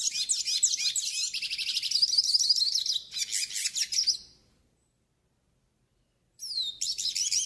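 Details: A yellow-faced siskin (pintassilgo do Nordeste) sings a fast, high twittering song of rapid chirps and trills, meant for training and warming up other siskins, pausing about two seconds before starting again; Yellow-faced Siskin.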